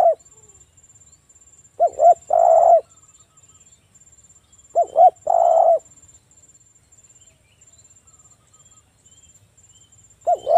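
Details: Local spotted dove (tekukur) singing loudly, used as a lure to make other doves call; phrases of two quick low coos then a longer drawn-out coo, repeating about every three seconds, over a faint steady high ticking.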